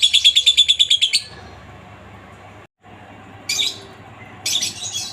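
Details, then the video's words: Lovebird from a master recording made to train other lovebirds. About a second of quick, even chattering notes, then quiet, followed by two short harsh squawky bursts. "masteran burung Lovebird ngetik,ngekek cocok buat lb lain biar cepat gacor ,ngekek panjang"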